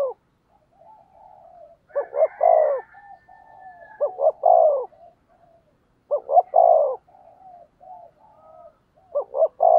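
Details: Decoy spotted dove cooing in a voice contest to lure wild doves: about four low, mellow phrases, each two short clipped notes then a longer rolling coo, with soft trailing coos and a faint thin whistle between.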